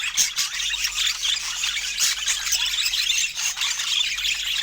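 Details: Budgerigars, pets being fed fruit, fill the air with squeaky, squealing warbles and chirps in a thick, continuous chorus of high notes.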